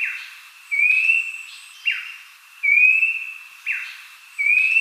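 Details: Abbott's babbler song intended to spur kept birds to sing: long upward-sliding whistles, each answered by a short downslurred note, about three phrases in quick succession, in a clean recording.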